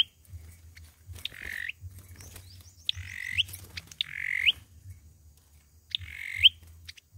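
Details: Olive-backed sunbird fighting song used as a trapping lure: four rough, buzzy notes that rise slightly toward a sharp end, spaced one to two seconds apart, over a low hum.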